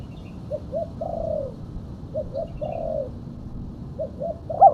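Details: Female spotted dove lure call, fairly quiet: three soft phrases, each of short coos ending in a longer level coo, with a louder note cut off at the end.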